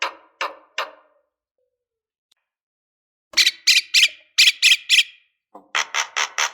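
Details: Harsh, raspy lovebird squawks, used as a provocation call to stir up other lovebirds, come in quick bursts of three or four notes separated by a short silence, loud and grating throughout.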